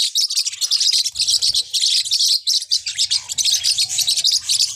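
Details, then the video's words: Small Forpus parrotlets chirp busily, shrill short tweets repeated many times a second in a thick overlapping flock chorus, the din easing slightly midway before resuming, with a faint low murmur below. "เสียงนกแก้วฟอพัส เพราะมาก"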